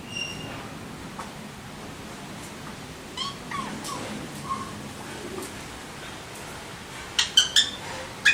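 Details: Alexandrine parakeets (Psittacula eupatria) calling: soft chattering notes, then a few loud, harsh, high squawks in quick succession near the end.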